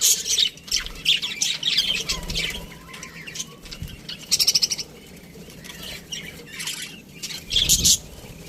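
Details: Budgerigars chattering in an aviary, high scratchy warbles early, then scattered sharp chirps and a quick rattling burst, with a soft thump late on.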